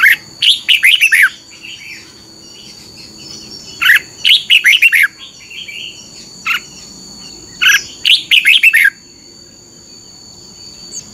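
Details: Red-whiskered Bulbul song played to train caged birds, in the doubled 'beun' style. Three loud, quick phrases of five to seven bright, warbled notes arrive about every four seconds, with quiet gaps and a steady high hum behind.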